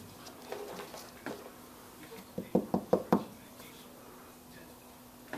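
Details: A female pet African grey parrot, aggressive and nest-guarding behind a garbage can late at night, gives a quick run of four or five harsh speech-like syllables in about a second, amid soft indoor talking and knocks.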